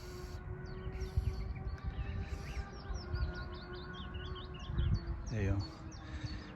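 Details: Willow warbler (Phylloscopus trochilus) song, recorded 11 June 2023 on a nesting walk in an area where it always sings: a soft, rapid run of sweet, slurred whistled notes, faint beneath a man's voice, low rumbling and a steady hum.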